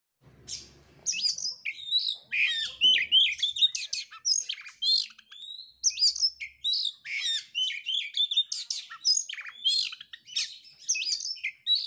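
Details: Caged oriental magpie-robin in full, active song while spreading its tail: a dense, rapid stream of varied high whistles, chirps and sharp trills, phrases packed closely with short gaps, a faint low rumble at the very start.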